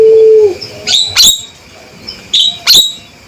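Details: A steady low tone fades out, then a male Javan myna gives several abrupt, harsh calls with shrill whistled tops, in two pairs separated by a short pause.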